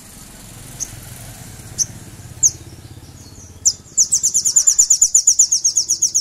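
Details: {'caption': 'Crimson Sunbird (sogon) lure meant to make rivals sing: a few scattered high chips, then a fast, loud, rattling high trill of pulses repeated many times a second, over traffic-like background noise.'}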